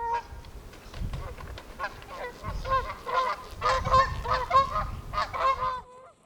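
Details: Several Canada Geese in spring in Alberta's Oldman River Valley, choosing nest sites near water, some in trees: loud, rapid, overlapping nasal two-part honks, about one per second, over a low rumble of wind.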